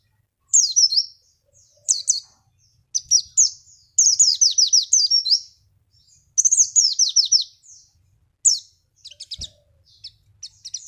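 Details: Lure song of the Javan white-eye for drawing other birds into singing: repeated high, rapid phrases of downward-slurred chirps in bursts, with brief pauses and a faint low thump.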